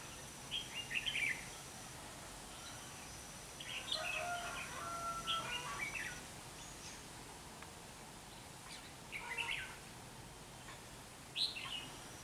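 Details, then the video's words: Decoy red-whiskered bulbul with a bell-like voice, used to trap wild birds on 27 November 2016, giving scattered brief chirpy warbles separated by long pauses, with a faint steady whine and rustling background. "Bẫy chào mào giọng chuông"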